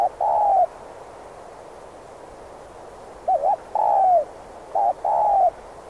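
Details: Spotted dove (cu đất) calling as a trap lure for wild doves: long sliding coos, each preceded by a short wavering or flat note, three phrases spaced unevenly over steady low hiss.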